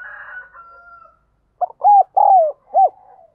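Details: Spotted dove used as a decoy, cooing insistently to draw wild doves in. A faint, drawn-out sound at the start fades out. After a pause comes a loud phrase of hollow, arched coo notes with a longer middle note.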